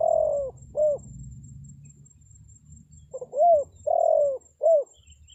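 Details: Spotted dove call used to attract wild birds: the tail of one coo phrase, a pause, then a full phrase with soft lead-in notes and three coos, short-long-short, over faint low hum.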